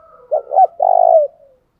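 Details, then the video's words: Spotted dove cooing, used as a lure call to excite trained doves: two short, low hollow notes followed by a longer, drawn-out purring coo, all in quiet surroundings. "Tiếng chim cu gáy mồi giọng lôi cuốn hấp dẫn đủ bài[ THÚC GÙ , GÁY GỌI ]"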